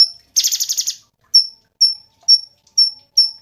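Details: Cungkok songbird heard in a buzzy rattling trill of rapid pulses, followed by a run of short high whistled notes repeated roughly every half second.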